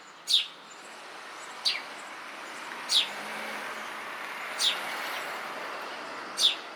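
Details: Eurasian tree sparrow calling from a house beam, giving single sharp chirps spaced one to two seconds apart, five in all, against a constant rushing background noise.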